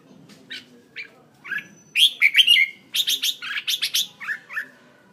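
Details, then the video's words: Red-whiskered bulbul, a decoy bird in Hanoi, Vietnam, delivering scattered chirps that build into lively bursts of rapid, bright warbled notes, then softer slurred ends. "chào mào mồi"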